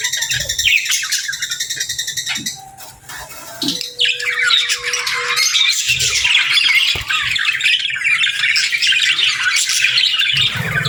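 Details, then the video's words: Budgies chattering in pairs: loud, fast scratchy warbling and squawks fill the recording, pausing briefly near three seconds while a steady low tone sounds, then resuming strongly. "Sweet Budgie Conversations"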